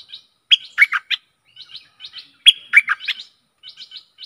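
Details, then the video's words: Stripe-throated bulbul song used as a decoy for aggressive wild birds: short bursts of rich, bubbly warbled notes in two phrases about two seconds apart, with thin high twitters between them. "เสียงต่อนกดอกแตงEp.92Birds songs(สำหรับต่อนกป่าตัวดุ!!) #นกต่อเจ้าแบงค์ Suara merbah lekir"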